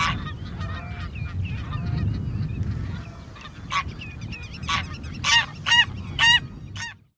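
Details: Greylag geese (Anser a. anser) at Uitkerkse Polder, Belgium, in April 2017: loud, nasal honks, several overlapping at first, then a run of harsh single honks about every half second, over low rumbling background noise.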